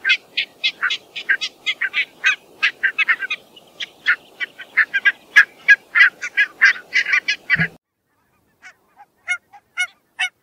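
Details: Barnacle geese calling in a flock: short, sharp, yapping barks overlap rapidly for about eight seconds, then break off into a few scattered, spaced single barks.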